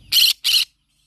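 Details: Green-cheeked conure calling in the morning: two loud, harsh, raspy squawks in quick succession, each lasting about a fifth of a second, separated by a brief pause, then silence.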